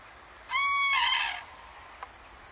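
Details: On 17 September 2013 near Banneick in Lüchow-Dannenberg, Wendland, northern Germany, a summering common crane pair calls to migrating cranes passing overhead: a loud, clear, ringing trumpet shifting into a rougher, buzzier second part, about one second in all.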